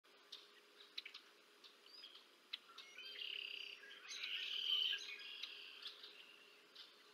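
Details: Bald eagles at the Decorah North nest cam, an adult feeding two chicks on 30 March 2024: high thin chirping notes, rising into a louder squealing run in the middle, with a faint steady hum behind.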